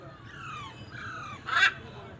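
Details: Parrot chicks calling with drawn-out, descending tonal notes, followed by a brief, louder harsh squawk near the end over a low background hum.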